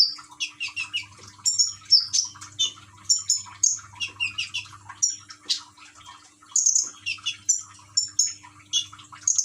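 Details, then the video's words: Common iora in a cage at Gresik, East Java, prompted to sing by trickling-water sounds; lively stream of high chirps, whistles and slurred notes in quick succession, with a low background hum. "Burung konin rajin bunyi dengan terapi gemercik air"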